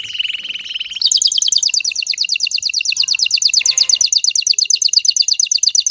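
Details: Agitated male canary sings to make a female ready for mating. A steady whistled note leads into a long, very fast, bright rolling trill of high notes that continues without a break.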